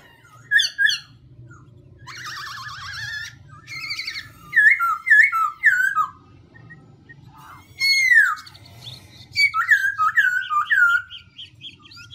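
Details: Song of the black-throated laughingthrush, changing voice over and over: bursts of buzzy harsh notes alternate with clear whistled phrases, loud down-slurred whistles and quick repeated chirps, separated by short pauses.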